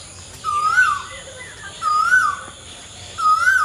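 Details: Asian koel singing three strong, clear whistles spaced about 1.3 seconds apart, each sliding upward then falling away, over a steady insect drone and faint high chirps.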